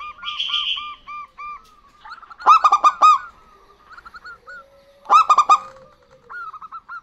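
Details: Local zebra doves, a female and a male, answer each other in lively song. Bursts of loud, clipped, stacked cooing notes arrive about every 2.5 seconds, with softer runs of evenly spaced short coos between them.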